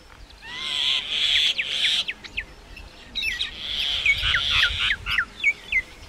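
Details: Common myna giving grating, drawn-out screeches mixed with short sharp whistles, then a closing series of quick descending chirps.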